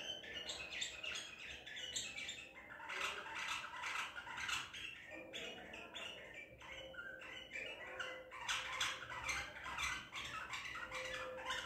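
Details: White-eared bulbul of the Baghdadi type, wild-caught at Madinat al-Tib and recorded on 14 April 2021, gives a busy run of quick chirped and warbled notes, with short pauses, over a steady low hum.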